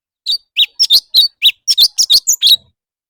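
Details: Leafbird singing competitively: a busy chatter of about fourteen bright chirps and squeaky whistles, some doubled, in under two and a half seconds, followed by a brief low rattle at the close.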